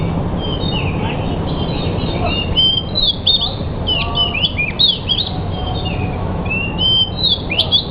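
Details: Pied bushchat singing: a lively run of short whistled and chirping notes, rising and falling, repeated without pause throughout, over a steady low hum and background noise.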